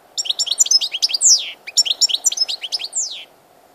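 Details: European goldfinch on 16 March 2014 sings two rapid twittering phrases, each ending with a drawn-out, descending wheezy note, over a faint low hum.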